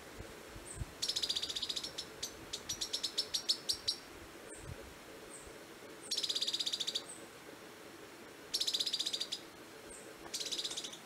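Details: Mottle-cheeked Tyrannulet recorded on 1 June 2018 in Prados, Minas Gerais, Brazil: high, dry chattering bursts of rapid notes, each about a second, repeated every few seconds, with thin single chips between them.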